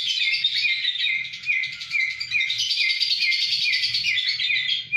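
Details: In Kedungadem, Bojonegoro, a lovebird chatters steadily, mixing high squeaky chirps with short upward-flicking notes repeated about twice a second, over a soft low rumble.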